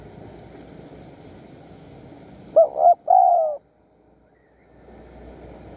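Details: Wild spotted dove calling at a decoy-trapping site in Surat Thani, Thailand: one phrase of two short coos and a longer drawn-out, slightly falling coo, then quiet over a low rural hum.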